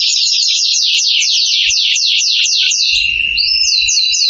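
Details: Excited canary singing a rapid series of repeated down-slurred notes, about four per second, which flows into a steady buzzy trill.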